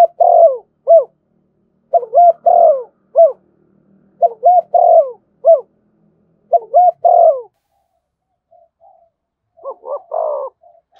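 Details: Spotted dove in the thổ voice, thúc and kèm styles, cooing in repeated low phrases: two quick hooked notes then a drawn-out falling coo, repeated about every two seconds with brief pauses and a faint echoing coo near the end.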